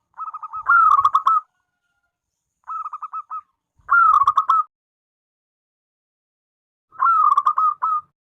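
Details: Zebra dove of local stock in full song, giving the front part of its song. Four phrases of rapid, burry coo notes, some loud and rolling, one softer and clipped. Quiet pauses lie between phrases.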